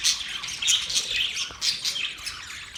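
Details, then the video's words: Several budgerigars chirp in a cheerful, overlapping chatter: high scratchy warbling with short squawky accents rising and falling about every half second. "Birds chirping sounds"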